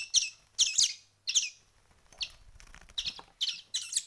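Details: Week-old wild chicks, hand-fed for a week and woken for breakfast, give high, harsh, buzzy begging chirps in quick bursts, about two a second, with faint handling noise; called sparrow chicks, also said to be greenfinch chicks.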